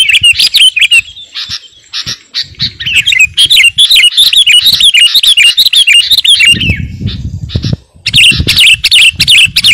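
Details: Kutilang garuda, a sooty-headed bulbul, singing hard, used as a master song for training and luring birds. Fast runs of bright, wavering whistled notes over scratchy chatter, pausing briefly near the end while a low rumble sounds.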